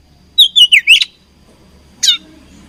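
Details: Fighting oriental magpie-robin: a rapid run of four swooping whistled notes dipping and rising, then a pause and one sharp descending chirp.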